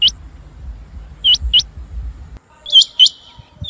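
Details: Rain quail, recorded as a call for hunting, gives sharp, high, upslurred whistled notes, often in quick pairs, about one burst a second; a low rumble of background noise fills the first half.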